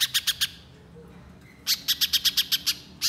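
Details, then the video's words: Little spiderhunter song used as a lure to get another bird singing: four quick, sharp, high notes, then a gap of about a second before a longer run of nine or so clipped notes, with faint low hum behind. "Pancingan Pijantung Pisang Gacor Agar Pijantung Bahan Cepat Bunyi Nembak Mbeset Rapat"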